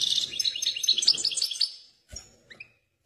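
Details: Excited European goldfinch singing a rapid, high, liquid twittering of tinkling notes for about two seconds, then a short pause, a soft thump and a few separate chirps.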